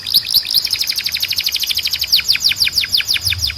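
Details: Canary tutor song: an unbroken rapid trill of curved, falling high notes, repeated several times a second, with a level whistle held throughout.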